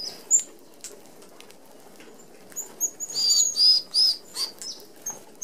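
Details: Red-browed finches, an Australian native species, feeding as a flock at a mesh-screened open aviary feeder. Thin, very high piercing notes come in a burst of several after scattered single calls, with soft whirring wingbeats.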